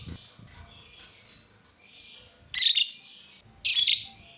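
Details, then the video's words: Lovebird sound aimed at making other lovebirds sing: soft high twittering over a low background murmur, then two loud, shrill squeaky chirps about a second apart. "Suara burung lovebird ini ampuh bikin lovebird lain ikut gacor"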